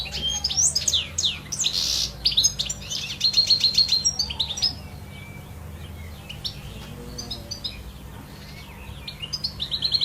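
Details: European goldfinch singing in nature: bright, rapid, high twittering phrases with liquid trills and buzzy notes for the first five seconds, then quieter scattered tweets. A steady low hum runs underneath.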